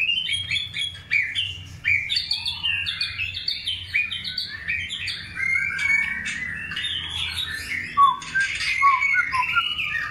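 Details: Long-tailed white-rumped shama singing while being paired for breeding: a rich, rapid, ever-changing stream of chattering and whistled notes, with sharp accents and brief pauses, above a faint low hum.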